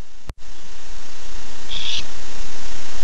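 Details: Male barn owl calling for his mate at night, 9:54 pm, nest camera: a brief dropout, then a single harsh, hissing screech lasting about a third of a second over steady hum.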